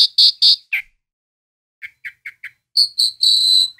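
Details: Home-kept Asian pied starling, loud and varied: three strong whistled notes, a slurred chirp, a quiet pause, then a quick series of short chirps and a closing run of clear high whistles.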